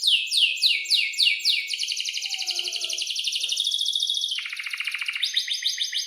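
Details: Canary delivering a long roll meant as a lure for young canaries learning song: repeated rising sweeps, then a sustained rapid trill that drops and returns higher, faint background chirps.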